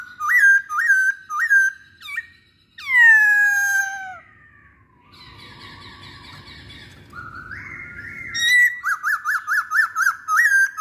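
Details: Masked laughingthrush singing as a lure to prompt other masked laughingthrushes: repeated rising whistles, a loud descending harmonic-rich cry, a quieter buzzy stretch, then a rising whistle and a quick string of repeated looping notes.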